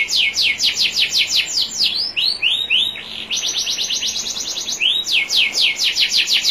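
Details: Training song of a national champion canary, with gently trickling water behind: rapid series of sharp descending chips, a run of looping upswept whistles, then more fast chip trills repeated in quick tours.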